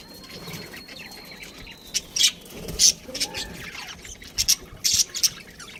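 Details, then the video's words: Pet budgerigar: a thin whistle at the start, then sharp, high, clicky chirps in small clusters over the second half. "cute budgie chirping sounds"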